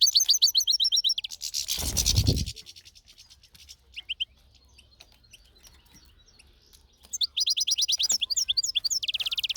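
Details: European goldfinch in nature pours out rapid high twittering trills, broken by a loud rustling burst, a quiet stretch with odd chirps, then resumes with fast jingling twitters.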